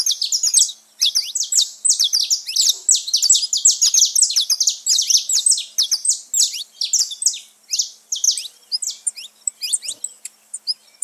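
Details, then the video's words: Saffron finches living free in nature, a noisy gathering: long, dense stream of high twittering chirps and quick downslurs from several birds, easing into sparser notes toward the end. "festa dos canário da terra livre na natureza"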